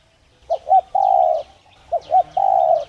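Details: Spotted dove coo for stimulating doves to call: two phrases of two short rounded hoots then a long, even, mellow coo. Faint high chirps of other birds behind.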